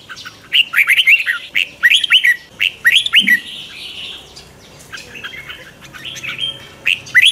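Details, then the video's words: Morning twisting-voice song of a red-whiskered bulbul (chào mào) kept as a training lure: clear, rising whistled notes repeated roughly once a second, broken by a brief warbled run. "Luyện chào mào hót sáng, Giọng xoắn QUÁ HAY"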